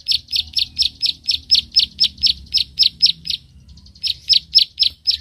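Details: Prenjak sawah, a field prinia, giving its 'klik-klik' call during a fight with a rival: sharp high clicks about four a second, a brief pause near the middle, then the clicking resumes.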